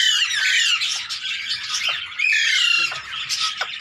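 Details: Tame Indian green ringneck parakeet at play with its handler: a string of grating, rasping squawks in two main bursts, each with smeared harmonic stacks, separated by short gaps and a few sharp downward clicks.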